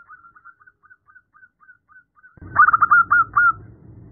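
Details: A female zebra dove calling the male: faint, evenly spaced soft coos at first, then an abrupt, much louder burst of rapid rolling coos.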